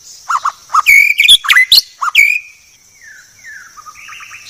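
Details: Murai batu (white-rumped shama) masteran song, called the clearest: low mellow whistles mixed with loud ringing notes, followed by a softer descending trill and a fading warble.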